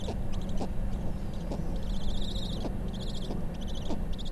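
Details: Snowy owl at its nest on Bathurst Island, Canadian Arctic: female feeding chicks, with high, raspy chittering bursts under a second each, repeated about every second, over steady low wind rumble.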